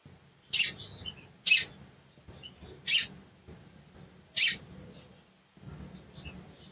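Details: Sharp, high cuit calls from a sooty-headed bulbul, meant as a lure to provoke a bird that has stopped singing: four clean, loud chips about a second apart, then fainter chirps, against a quiet background with a faint low hum.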